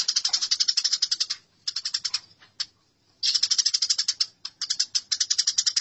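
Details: Harsh, rapid chirping from fighting Eurasian tree sparrows, continuous at first, then fragmented, before a long unbroken run of scolding chatter.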